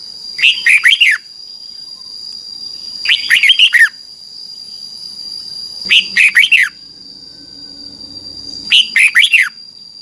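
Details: Red-whiskered bulbul training song from Thailand for young birds: four identical phrases of four to five bright falling whistles, repeated about every two and a half to three seconds, above a faint continuous high tone.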